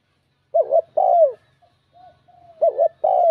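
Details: Bell-voiced spotted dove coo used to provoke rival males: two low, mellow phrases, each a short wavering note and a longer sliding coo, separated by a quiet gap with faint soft coos.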